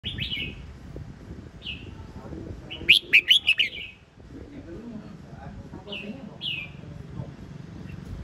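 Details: Red-whiskered bulbul singing short, bright whistled phrases, some slurred upward, in scattered bursts with a quick rapid cluster in the middle, over a low murmuring background.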